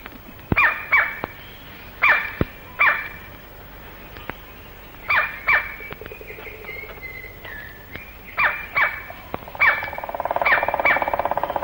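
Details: Male white-bellied black woodpecker in Malayan rainforest, recorded late 1950s to early 1960s, giving loud, piercing single calls in ragged bursts, then a fast rattle of frantic drumming; a thin sliding whistle from another bird passes midway.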